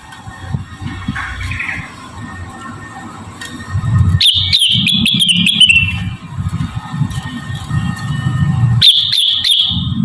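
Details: Javan cochoa song used as a model for training rengganis and other cage birds: two bursts of rapid, trilled whistling that slide slightly downward, separated by a low rumbling background and sharp clicks.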